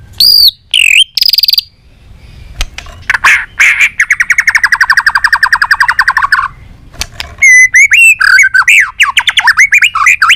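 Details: White-rumped shama in varied, many-voiced song used to stimulate shamas: a few high swooping whistles, a long fast rattling trill lasting nearly three seconds, then a lively jumble of rapid slurred whistles.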